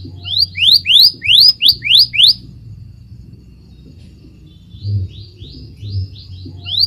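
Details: Scarlet minivet (Pericrocotus flammeus) song: a fast run of about eight sweet, rising whistles, then a pause and a softer series of similar upslurred notes; faint low rumble behind.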